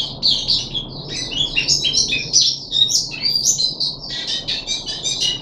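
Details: On the third day of deworming, a caged puff-backed bulbul chatters in quick, buzzy and whistled high notes, closely packed and irregular, 14 July 2021.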